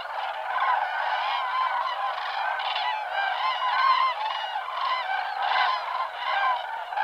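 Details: Common cranes in large winter flocks in Portugal's Alentejo call loudly together: dense, honking, bugled notes overlapping in a steady chorus with no pauses.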